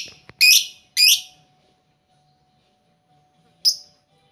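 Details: Lovebirds in a shared, noisy cage give loud, harsh, scratchy chirps: two in quick succession, then a long silence and one more, with a faint steady hum in the background.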